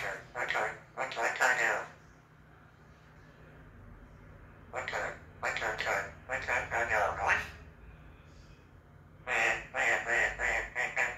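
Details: Eclectus parrot mimicking the robotic-sounding voice from a telephone or video call, starting in his normal voice: bursts of chattering, voice-like mumblings with "OK", laughter and chuckling, brief pauses between, like one side of a phone conversation.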